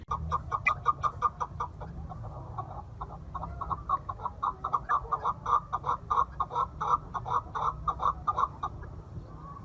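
A chukar partridge gives a fast, steady run of harsh, clucking chuck notes, several per second, throughout; a low rumble of background noise underneath.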